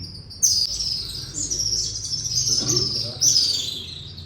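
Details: Swallows calling loudly inside Katas Raj temple in the Salt Range, the birds unseen; dense high twittering chirps run almost continuously, swelling in bursts at about half a second and again near three seconds.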